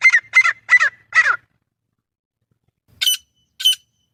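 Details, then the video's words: Grey francolin call used for hunting: four quick harsh squawks in a short burst, a silence, then two sharp, higher clipped notes. "گورا تیتر ۔۔۔۔۔ شکار کے لئے بہترین آواز | Grey Francolin"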